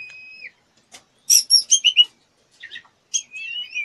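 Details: Female white-rumped shama in breeding condition, fluttering and begging to be mated: a long flat whistle, then a string of five loud buzzy high notes, a short pause, and a few twisting whistled slurs.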